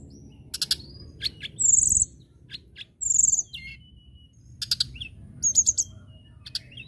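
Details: A local common tailorbird gives high, sharp chirps and ringing whistled notes, several short rapid bursts of three to four notes spaced by pauses, with quiet low background noise.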